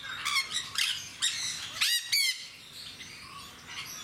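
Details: Several jenday parakeets in Mysore Zoo calling in a series of harsh, shrill squawks, a quick run of four calls followed by a loud double screech, then quieter chatter trailing off.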